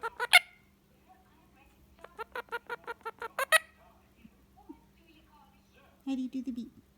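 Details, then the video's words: Pet Indian ringneck parakeet at evening rest with its owner: a loud sharp squawk, then a rhythmic burst of about eight nasal chatter pulses, soft faint notes, and a closing low buzzy grumble. "Adorable ringneck parrot making cute noises and talking"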